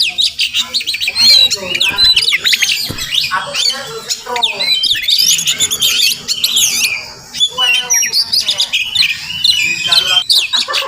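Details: Wild Oriental magpie-robin calling near a house where it may be nesting; sweet whistled phrases alternate with harsh rasping notes and brief pauses, lively and varied throughout.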